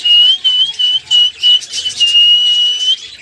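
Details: Cockatiel, said to reply to every sound, gives a long clear whistle held near one pitch with slight wavering, broken by short gaps into several phrases, with faint bright overtones above.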